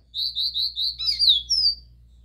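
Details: Copper seedeater singing the pure "Dó Ré Mi" song type, played to stimulate other birds: five clear, slurred whistles repeated quickly, then a faster twittering phrase ending in a high thin note.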